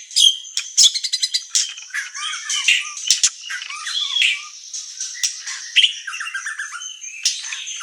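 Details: White-rumped shama in murai batu training song for provoking: rapid clicking trills and stuttering notes, then a dense jumble of chattering, squeaky warbles and low slurred whistles.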